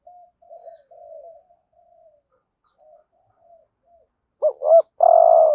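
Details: Lure spotted dove in 'gọi thúc gù' calling meant to draw wild doves. Several seconds of soft, low, wavering murmurs, then one loud phrase: two sharp rising notes and a long, rough, buzzing coo.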